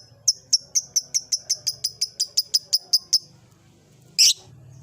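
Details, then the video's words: Caged blue ice lovebird in an old cage starting to ngekek: an evenly spaced series of about fourteen sharp high chirps, four or five per second, then a brief harsh squeak after a pause. "Suara burung Lovebird "Kicauan Di Sangakar Tua" Si Gunner Mulai NGEKEK !!!"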